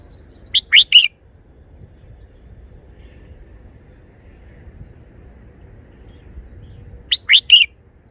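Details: Red-whiskered bulbul, a cage bird, singing its three-syllable song in the style known as Chao Ma Ruai. Two clear, bright, whistled three-note phrases about six seconds apart over a quiet low rumble.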